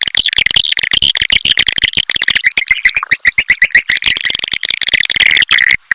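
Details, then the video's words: Swiftlet response call in the style called SP CINA: dense, rapid chirping and buzzy twittering, a continuous fast stream of sharp notes and clicks filling all six seconds without a pause. "SUARA PANGGIL RESPON||SUARA WALET RESPON"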